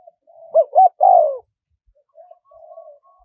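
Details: Spotted dove giving a wild-style, small-voiced coo, played to lure wild doves in. Two short hooked notes rise into a longer falling coo, followed by a pause and then a fainter, softer coo.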